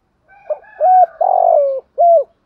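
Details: Spotted dove coo phrase from male and female birds, meant to spur trained doves in contests: a soft lead-in, short coo, long slightly falling coo, then a final short clear coo.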